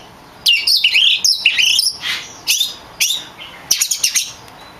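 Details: Oriental magpie-robin, a champion kacer in full song, used to train other songbirds: loud bursts of sweet whistles and sliding high notes, separated by short pauses, with a faint constant hiss behind.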